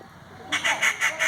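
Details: A treepie in a village gives four harsh, rasping notes in quick succession, about six per second, after a brief quiet start.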